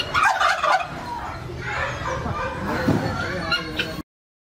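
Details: Turkey in a small zoo in Hebbal Industrial Area, Mysore, opening with a quick burst of harsh rattling gobbles, followed by a steady low murmur of people and background noise.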